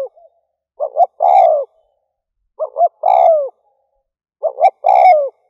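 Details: Decoy call of a spotted dove for luring doves, a phrase of two brief coos then a long descending coo, repeated three times about every two seconds, clean with no other sounds.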